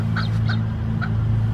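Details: Ashy-headed goose at Fortín 1ro. de Mayo in the Catan Lil river valley gives three short, clipped honks, two close together and then one after a pause, over a steady low rumble of wind or engine.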